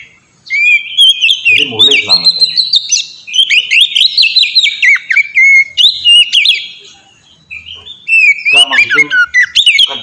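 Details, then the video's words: Oriental magpie-robin song as master for training birds: bright whistled phrases with quick slides and clicking notes, a harsh rasp early, a brief pause near the end, then more whistles; faint speech underneath. "suara burung kacer ngeplong merdu sangat ampuh buat pancingan kacer bahan bikin cepat gacor"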